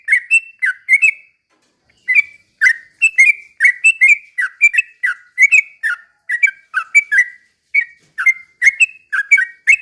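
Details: Sooty-headed bulbul pouring out a busy 'ropel pelan' song to provoke rival birds; dense string of short, liquid whistled notes in twos and threes, rising and dipping, after one brief pause.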